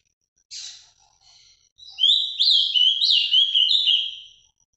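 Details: Azulão song of the Paraná vinte vinte type, Ultramarine grosbeak: a harsh opening chip, soft notes, then a bright two-and-a-half-second flurry of quick, rising whistled slurs stepping up and down in pitch.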